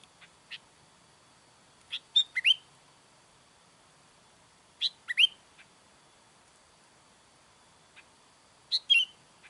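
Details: Sooty-headed bulbul calling to attract wild birds of its kind, giving three clusters of quick high chirps and slurred downward notes, with a few faint ticks between bursts.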